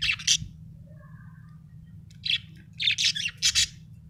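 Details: Happy pet budgerigar chirping: short, bright scratchy chirps in clusters at the start and again toward the end, over a steady low hum.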